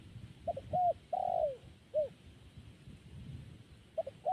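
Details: Zebra dove (perkutut) call with quick paired notes, a sustained coo sliding downward, a single short note, then the pattern beginning again near the end; faint low background rumble.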